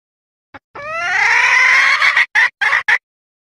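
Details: A female red junglefowl gives a mating-solicitation lure call: a drawn-out, rising, nasal wail of about a second and a half, then three quick clipped notes.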